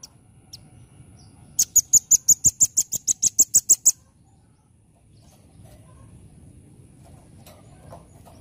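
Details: Velvet-fronted nuthatch (rambatan) in full chattering nembak song: a fast, steady volley of about fourteen shrill, very high, clipped notes over two seconds, then near silence.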